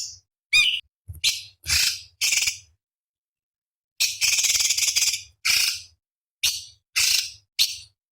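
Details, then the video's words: Cucak cungkok master song for competition birds, 'isian' style. Harsh, raspy high bursts and hissing chatter come in fast separate volleys after one clear whistled chirp, with a long buzzy stretch midway and soft low knocks behind. "Masteran Cucak Cungkok Istimewa ~ Isian Pedas Tajam Kasaran ~Tembakan Istimewa Masteran Burung Lomba"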